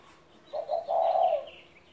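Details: A single coo phrase from a 17-year-old pet spotted dove: two brief low notes lead into a drawn-out mellow coo. Thin high twittering of small birds sounds softly behind it.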